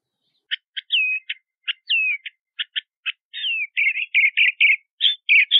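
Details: Crissal thrasher song opening with sharp clicking notes and slurred whistles, then building into a dense chain of scratchy warbled phrases; clean recording with no other sounds.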